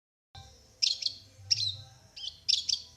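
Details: Long-tailed shrike, a contest-winning bird from Plaosan, singing: sharp high chirped notes in three bursts about every 0.8 seconds, with a low steady hum underneath.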